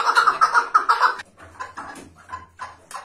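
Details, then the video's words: Chukar partridge calling in a loud, rhythmic series of harsh, clucking notes, about four quick beats in the first second, then softer spaced notes with a low hum beneath. "Keklik Sesi Efsane (Keklik Hengamesi)"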